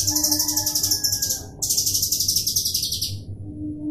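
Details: Cucak kinoi song used as a coarse, drilling lure to prompt other birds to sing: rapid, high, buzzy trills in two long bursts separated by a short break, with a faint steady low hum beneath.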